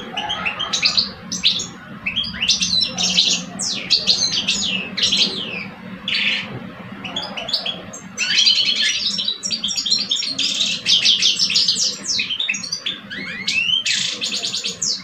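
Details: Two male European goldfinches in cages, an older bird against a two-year-old, from Algeria, compete in song: continuous tinkling twitter with slurred whistles, harsh buzzy bursts and quick trills over a low room hum.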